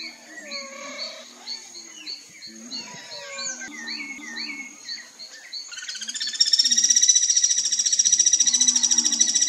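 Guira cuckoo alarm calling: a rapid, harsh chatter of high notes, swelling into a loud, grating, buzzy rattle after about six seconds, with other birds chirping behind.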